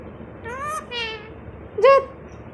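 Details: A pet Indian ringneck parrot, playing hide and seek, talks in Bangla in three short, speech-like phrases in a mid-pitched voice; the last phrase is loudest and sharpest, over a faint room hum.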